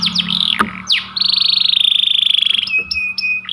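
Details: Panda canary, described as a white canary, singing persistently in long bursts: swooping whistled notes, then a fast buzzy rattled trill held over a second, then steady level whistles, with a faint low hum behind.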